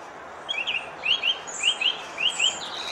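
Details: A thrush sings short, sharp rising notes, mostly in quick pairs repeated about every half second, over soft steady background noise outdoors.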